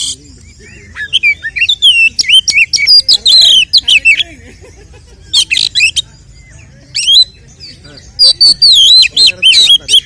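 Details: Oriental magpie-robin fighting song, played to provoke other males: dense loud phrases of swooping, warbled whistles and trills with harsh buzzy notes mixed in, separated by short gaps.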